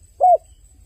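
A dove gives one brief, soft hooting coo that swells and fades. Only faint low background hum is heard besides.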